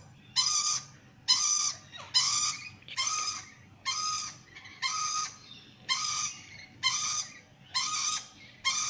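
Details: A curious sulphur-crested cockatoo investigating the camera gives harsh, raspy screeches, about one each second, ten in a row at a steady pace, against faint low background noise.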